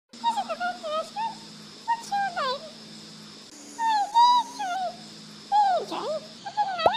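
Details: Australian rainbow lorikeets at a feeding spot with sunflower seeds, touching beaks, trade soft, squeaky, warbling chatter in short bursts, with wavering and slurred notes, over a steady low hum.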